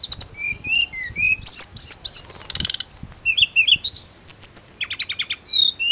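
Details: Mountain leafbird heard in training audio for a kept bird that only chirps: low whistled notes, a noisy rasping burst, then a flowing series of slurred high whistles ending in quick clipped notes.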